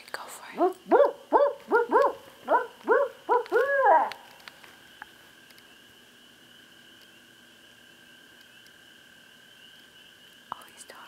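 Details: A barred owl being called in by a person gives a loud, steady string of eight or nine arched hoots over four seconds. Quiet follows, with a faint steady hum.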